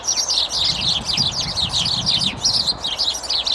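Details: Sparrows in a tree, a rowdy group in a heated squabble, give a rapid stream of sharp, high chirps that overlap into constant chatter, with faint low rumbling underneath.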